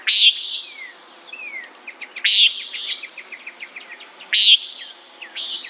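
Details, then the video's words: Common nighthawk giving short, nasal, buzzy calls about every two seconds. Each call is harsh and brief. Faint thin whistles and chirps from other birds sound between the calls. "Common Nighthawk Sound, Bird Call"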